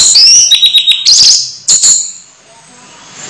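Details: Caged orange-headed thrush, about to moult, delivers a short burst of high whistled and chattering notes, then falls quiet.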